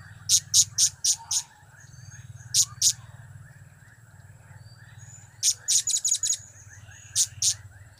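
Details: Blue-crowned hanging parrot calling in cap-cap, kiak-kiak and crap-crap styles, sharp piercing high notes fired in uneven clusters of two to six, with quiet gaps and a steady low background hum.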